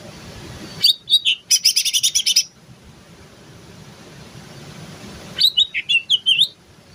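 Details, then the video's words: Greater green leafbird in terotol style, giving a burst of rapid, ringing chirps and trills. A pause of soft background hiss follows, then a second run of quick, twisting whistled notes. "Cucak ijo Terotol"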